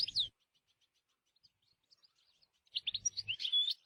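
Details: European goldfinch in the wild: a short squeaky note, a pause of faint ticks, then a quick jumble of twittering, liquid high notes with a low hum beneath.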